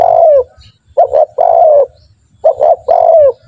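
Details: A spotted dove's lure call for training captive doves to sing readily: a drawn-out descending coo, then two quick hollow notes leading into another long falling coo, repeated twice. The background is quiet with a faint low hum.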